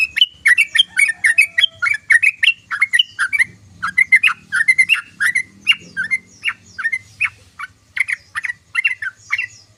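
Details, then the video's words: Sooty-headed bulbul giving a loud ngoceh chatter: dense, energetic stream of bright chirps and warbled notes, several per second, with only brief gaps throughout and faint low rumbling in the middle. "SUARA BURUNG TRUCUKAN❗❗❗TRUCUKAN NGOCEH❗❗❗TRUCUKAN NGERIWIK❗❗❗"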